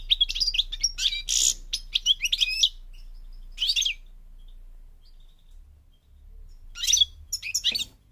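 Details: Moroccan goldfinch, or Parva, from North Africa, uttering clusters of fast, sharp, high twittering notes and buzzy flourishes, with quiet stretches in between and a low steady hum underneath.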